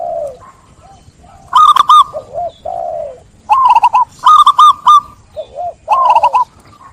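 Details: Zebra dove song with soft, low, drawn-out coos between several loud, rapid clusters of stuttering notes.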